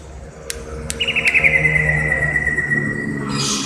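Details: Greater green leafbird from Indonesia, recorded 29 January 2021, giving a sustained rippling trill that slowly falls in pitch, after a few sharp clicks, ending in a burst of hiss.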